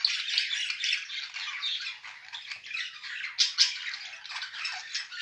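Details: A budgerigar pair in unbroken raspy chatter, buzzy twittering interspersed with sharp squeaks and clicks.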